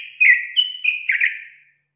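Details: Yellow-vented bulbul lure song meant to agitate untrained young bulbuls: one short, bubbly phrase of liquid whistles, a sharp upward note, then a chattering burst that fades out, with no other sounds.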